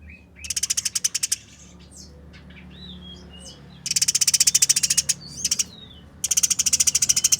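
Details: Eurasian tree sparrow in combat, rasping out three quick rattling bursts of close-set pulses, each about a second long, with high thin whistled squeaks between bursts.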